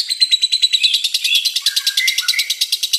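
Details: Lovebird doing the long 'ngekek' chatter: rapid, piercing pulses repeated many times a second, with a steady high note early on that then breaks into dropping, scratchy inflections.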